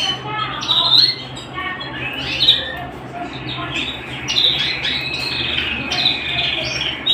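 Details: Canary singing at home, a varied phrase of chirpy upsweeps, brief rattles and high sharp notes, then a long steadier rolling tone in the second half; low hum under it.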